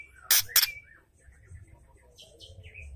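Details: Female white-rumped shama ketrekan, a call said to provoke male shamas: two loud harsh clicks in quick succession, then faint thin chirps and a short descending whistle against a quiet low hum.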